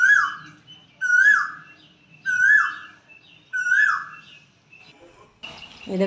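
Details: Koel calling from the peepal and banyan trees beside a village temple on 5 April 2025; four strong whistled notes, each falling at the tail, about one per second, ending in a burst of rustling noise.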